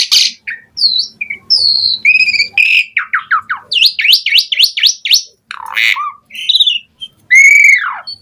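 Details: Asian pied starling singing to provoke replies from starlings: varied whistles and squawks, a row of quick rising whistled swoops, harsh bursts, and a loud drawn-out arching whistle near the end.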